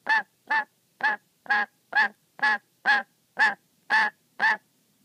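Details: Wary, angry black-capped lory kept as a pet, provoked by being watched while playing with its favourite sock; ten loud, grating squawks in quick, fairly steady succession, each brief and nasal, with no other sounds.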